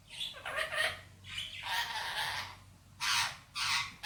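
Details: Male Indian ringneck parrot kept as a pet, talking in Hindi-Urdu words: harsh, broad squawky syllables in uneven bursts, with a louder pair of short bright notes near the end.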